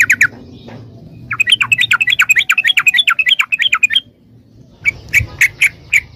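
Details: Yellow-vented bulbul (trucukan) song used to train caged birds to answer: a fast run of bubbly, chattering mid-pitched notes lasting about three seconds, then a pause and a few louder separate chirps.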